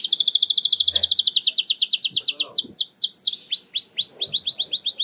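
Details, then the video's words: Lure song of a canary in 'nembak' style, played to make silent canaries respond: a long, rapid, high pulsing trill breaks into looping downslurred whistled notes, with faint low background noises. "Kenari Susah Bunyi! Bakal Langsung Respon Dengan Pancingan Kenari Nembak Ini"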